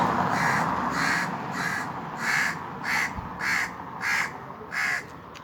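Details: Indian crows cawing from a treetop on a very hot summer day, a series of about eight harsh, nasal caws spaced roughly half a second apart over steady background hiss.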